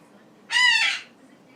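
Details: Goose-like honk from a lively pet male Goffin's cockatoo hopping over its cage at night, a single harsh, nasal squawk lasting roughly half a second against a quiet indoor background.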